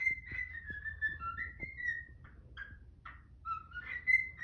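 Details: Morning whistling from a pet cockatiel, a flowing line of tonal notes that dips and rises, with a few brief rough squawks from a protesting Quaker parrot in between and soft room noise.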